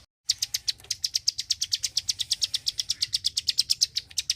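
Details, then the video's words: Klik-klik bird in full song: after a brief silence, rapid bright clicking notes start abruptly and repeat about seven times per second at a high pitch, over a quiet low hum. "BURUNG KLIK KLIK SUPER GACOR,TEMBAKAN SUARANYA BIKIN MELONGO"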